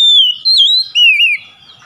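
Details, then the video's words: Oriental magpie-robin lure song meant to restart a silent bird: loud wavering whistled phrases, three in quick succession, with slurred up-and-down pitch. "PANCINGAN CEPAT PEMULIHAN KACER NGEDROP MACET BUNYI LANGSUNG GACOR"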